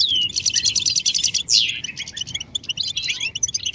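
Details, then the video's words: Goldfinch mating and readiness calls meant to make silent males sing: a rapid run of high pulsed notes, a loud downward-slurred note, then a busy, liquid twittering medley of chirps. "بتبتة الحسون نداءات فعالة في علاج صمت الحسون"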